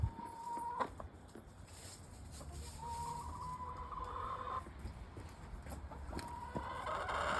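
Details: Backyard hens exploring out front, giving drawn-out, even whining calls several seconds long alongside scattered soft clucks, with low rumbling background noise.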